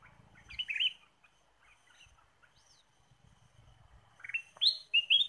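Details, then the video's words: Ruby-throated bulbul singing for luring birds: a brief warbled phrase, a quiet stretch of soft chips with low background rumble, then a rush of loud, upslurred whistled notes at the end. "PIKAT KUTILANG EMAS GACOR"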